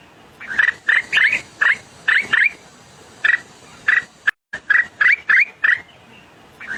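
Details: White-browed scimitar babbler, a small bird, giving short looping fluted notes in quick pairs and triplets, repeated irregularly over a soft steady background hiss.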